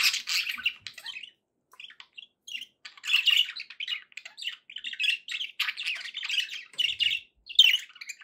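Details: Budgies sounding happy chirp and warble in quick, twittering phrases, a short lull near the start followed by lively, overlapping scratchy notes.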